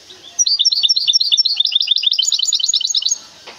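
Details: Song of a goldfinch hybrid from Temara: a dense stream of high, bright chirped notes repeated about three times a second, rising slightly in pitch toward the end of the nearly three-second phrase.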